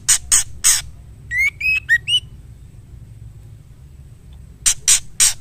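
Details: A female white-rumped shama calling for the male: three harsh scratchy notes, a short run of clear whistled notes with slight upslurs, a pause, then three more harsh rasping notes. A quiet hum sits in the background.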